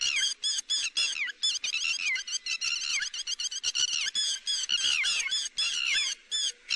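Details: Lapwing calls used to lure birds into nets: a continuous torrent of shrill, harmonic, down-slurred notes, rapid and excited, broken by a few short gaps.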